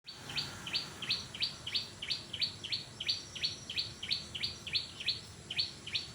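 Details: Orange-spotted bulbul, known locally as brinjak, calling actively: short sharp high notes with a clipped downward edge, repeated steadily about three times a second over a constant low rumble of background noise.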